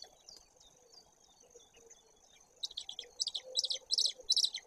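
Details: White-tailed eagle at its nest in Bory Tucholskie, filmed by a nest webcam on 17 May 2022 at 08:54; a quiet start gives way to bursts of high, sharp, chattering yelps repeated in quick clusters over the last two seconds.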